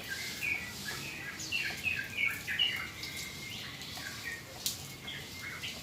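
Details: Captive yellow-vented bulbul (trucukan) after a rain-bath, meant to calm it: short bright chirps and warbled phrases, repeated irregularly, over steady rain-like hiss.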